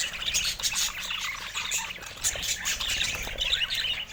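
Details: Several budgerigars twittering and warbling at once, with sharp squeaks and short chirps rising out of a constant high chattering wash.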